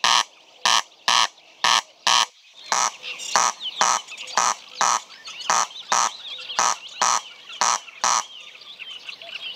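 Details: A Corn Crake gives its dry, rasping double 'crex-crex' call over and over, about two harsh notes each second, with small birds twittering faintly behind.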